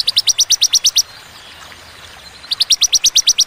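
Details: Ciblek, or bar-winged prinia, giving crisp ciwah cigun bursts: eight bright, evenly spaced high chips, a long gap of silence, then another quick run of similar notes.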